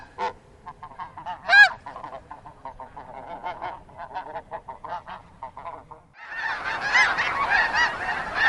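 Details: Snow geese in Wisconsin, a busy flock: rapid overlapping yelping honks with one loud nearby call, then a dense, roaring wall of many calling geese for the last two seconds.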